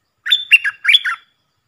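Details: Puff-throated bulbul decoy calling for teaching young birds: a single phrase of about one second made of four warbled notes that fall and rise, clear and close.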